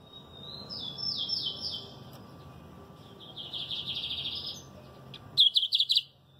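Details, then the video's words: Lined Seedeater singing high, sliding notes that fall in quick steps, then a buzzy, rapid trilled passage, ending in a run of four loud, sharp chips, with faint low background hum. "Canto número 13, Bigodinho."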